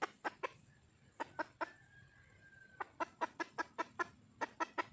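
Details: Red junglefowl hen, wild, calling to find a mate; clipped clucks in uneven clusters, fast then pausing, with a faint thin whistle drawn out in the middle and a steady high tone behind.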